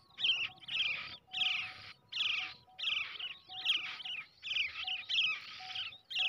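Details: A brown shrike chick kept by hand since hatching calls in rapid rasping bursts, nearly continuous harsh screeches broken by short gaps, about one per second.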